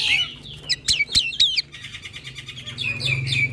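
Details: Young black-winged myna pouring out dense overlapping song for training other mynas: slurred high whistles and squeaks over a raspy, noisy chatter, with a faint low hum beneath.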